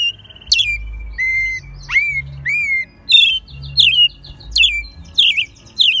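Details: Mexico City, March 2020: a pet American robin raised from a chick belts out its song, alternating clear downslurred whistles with thin high-pitched twittering notes at a steady, quick pace.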